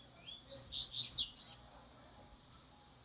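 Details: Seedeaters practising song face to face under a keeper's handling; a brief burst of high, rapid twittered notes sliding up and down, fading after a second, then one short high chirp, with a faint hum beneath.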